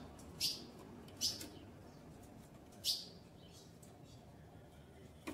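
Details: Captive female ultramarine grosbeak calling while ready to mate. Three clear, sharp chips at uneven intervals over a quiet, faintly hissing background, with a fourth starting at the very end.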